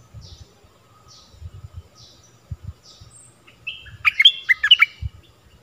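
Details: Stripe-throated bulbul song, one of several tunes used to teach young birds and draw in wild birds: soft high chirps early, then a loud rich warbled phrase near the end over low knocking sounds.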